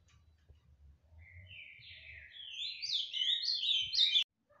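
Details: Tijucas do Sul, Paraná ultramarine grosbeak in fibra style. A soft, breathy start swells into a loud run of rapid, downslurred whistles that ends abruptly, over a faint low rumble.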